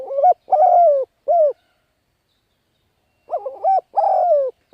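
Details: Spotted dove cooing as a call used to lure wild birds: a low, mellow three-part coo phrase with a harsher slurred middle note and a short clipped ending, then a pause and the phrase again. No other sounds.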